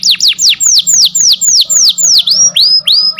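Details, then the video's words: Canary song for training a silent canary: loud down-slurred whistles about four per second, changing midway to longer arched notes that rise then fall. "MASTERAN KENARI MACET BUNYI | CANARY SINGING"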